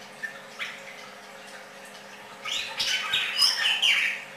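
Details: A red-crested cardinal sings: a couple of isolated chips, then a lively two-second burst of jumbled bright notes and slurred whistles at high pitch, against a low background hum.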